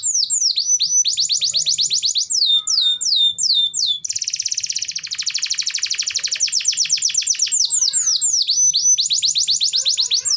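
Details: Gacor (constantly singing) canary song, used to coax lazy canaries into singing: rapid series of high, downward-swept notes, then a long dense buzzy trill, then more swept phrases.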